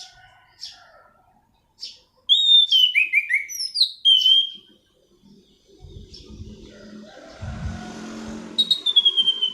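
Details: Black-throated laughingthrush song meant as a lure or tutor for training birds: bright whistled phrases sliding downward, then a pause, low rumbling background noise, and a final clear whistle.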